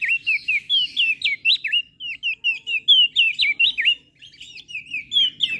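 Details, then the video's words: Lombok crested white-eye singing vigorously as a tutor recording for birds slow to sing: rapid rising and falling whistled notes strung into a continuous chattering phrase, with a short pause near the end. "Opior JAmbul Laombok Gacor Suara Merdu - MAsteran Dan Pancingan Burung Malas Bunyi"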